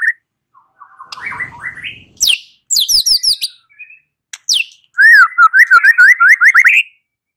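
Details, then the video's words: Lure recording of white-rumped shama song meant to make a bird answer: scratchy phrases, sharp high notes, then a rapid chain of rising zigzag whistles. "Pancingan Murai batu 85% Jitu jadikan Murai batu NYAUT NGEPLONG"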